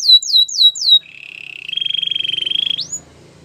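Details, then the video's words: Canary training song opening with a few quick descending whistles, then a long buzzy trill on one pitch ending in a sharp upward slur. "Your canary will not stop singing with this training song"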